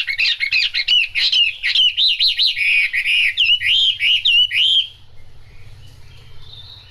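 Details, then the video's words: Chinese hwamei singing during rain: a rich stream of loud, rapid, warbled whistles with many quick ups and downs for about five seconds, then quiet with a faint distant note. "Họa mi hót trong mưa"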